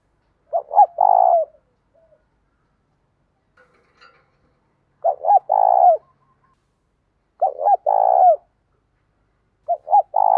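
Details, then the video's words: A spotted dove calls in the morning to attract wild doves, singing the full 'giọng thổ' song blended with 'thúc gù'. Four loud phrases of two clipped notes and a drawn-out coo come every two to four seconds against a quiet background. "cu gáy giọng thổ pha thúc gù đủ bài, gáy gọi bổi buổi sáng"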